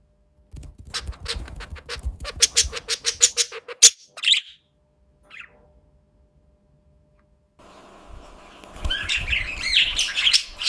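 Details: Pet budgerigar contact calling: a quick run of sharp, repeated chirps, a short squawk, then a pause and a bright, chattering warble near the end. This is the call it gives when alone or unable to see its owner.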